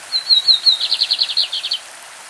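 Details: Champion lined seedeater singing a single classic phrase: a few thin high whistles gliding into a rapid, evenly spaced trill of about a dozen buzzy notes, lasting under two seconds.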